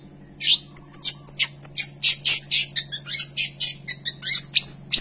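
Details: Long-tailed shrike pouring out a rich fill-in gacor song: dense, scratchy, varied notes in a near-continuous chatter, with whistled flicks between the harsh phrases and a low background hum.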